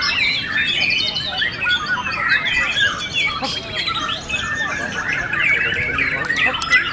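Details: Murai batu (white-rumped shama) singing in a contest class at Cibubur, Indonesia. Dense, varied song of quick whistled notes, chattering trills and rising sweeps that overlap continuously. Faint human chatter is in the background.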